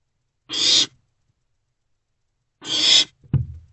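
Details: Three owlets in a nest box in April 2024: two separate breathy, rasping screeches about two seconds apart, the second followed by a soft scraping thump.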